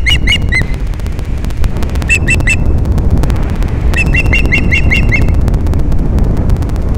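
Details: Ospreys mating in the morning on Captiva, Florida, in December: bursts of sharp, whistled chirps given in quick runs of three to seven notes, over heavy rumbling wind noise.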